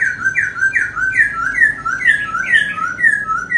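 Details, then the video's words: A dancing laughingthrush pours out rapid, loud, mellow whistled phrases, each a quick up-and-down slur, repeated almost without pause about three times a second, sounding close and full. "Khướu Muá Hót"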